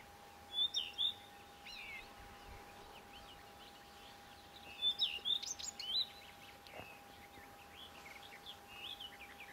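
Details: Common redstart giving two short phrases of high, quick twittering notes, the first near the start and a fuller jangling run about five seconds later, with a few softer notes after; quiet background with a faint steady hum.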